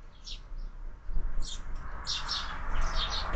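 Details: Chirping from sparrows at a window feeder stocked all year: a few isolated high tweets, then a busier run of overlapping chirps over a rising broadband rustle and low hum.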